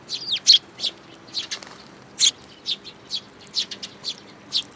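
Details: At a plum-tree feeder at a Tenmangu shrine, Japan, on 21 June 2022, sparrows with a new chick give sharp high chirps, some sliding down in pitch, in loose clusters.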